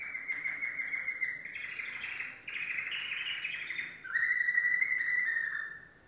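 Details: A domestic Belgian canary sings a continuous run of rapid trills and rolling tours, switching between bright, high-pitched phrases about every second or two.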